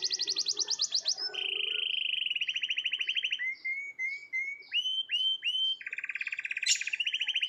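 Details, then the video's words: Canary giving long rolling morning song: a high rapid trill, then a lower buzzy roll, short rising chirps, and another dense, steady trill, all clean and loud. "BURUNG KENARI NGEROL PANJANG // DI PAGI HARI"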